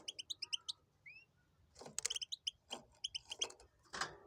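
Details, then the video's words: Tibetano and tuitero song from a goldfinch crossed with a canary: a rapid string of sharp high chirps, a brief rising whistle, then louder twittered phrases over faint low hum. "Jilguero híbrido tibetano y tuitero y canario"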